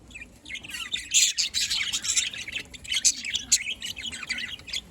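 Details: Pet budgerigars in Larkana, Sindh, recorded on 27 October 2023, chirping: dense, rapid, scratchy high chirps and twitters in irregular bursts, several birds overlapping without pause.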